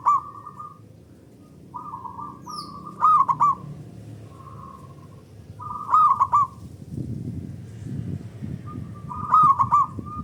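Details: Local zebra dove giving loud, long song as a lure, other doves answering: four rolling three-note coo phrases roughly every three seconds, fainter coos filling the gaps, and low rumbling noise near the end.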